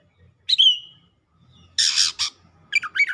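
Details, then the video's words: Excited Oriental magpie-robin in full song: a sharp whistled note sliding down into a long fading tail, a pause, then two harsh buzzy rasps and a quick pair of chirpy twisting notes. "KACER GACOR LANGSUNG MEMANAS NAIK EMOSI BONGKAR ISIAN"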